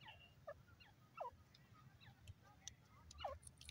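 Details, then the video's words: Francolin (teetar, dakni teetar) giving quick grating calls: several short downward-curving notes, a louder pair at about one and three seconds, with faint other chirps and a constant low rumble behind. "wonderful teetar awaz pk dakni teetar sound"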